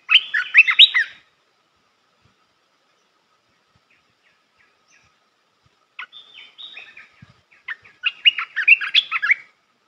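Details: Red-whiskered bulbul song used for training young birds: a burst of rich, quick warbled notes, a long silent gap, then a broken run of short chirps building into a second fast warbling phrase.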